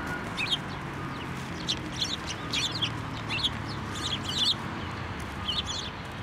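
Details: Sparrows at a Tenmangu shrine on 9 December 2023 fly onto a hand for food; short high chirps come in scattered groups throughout, over a constant low rumble of background noise.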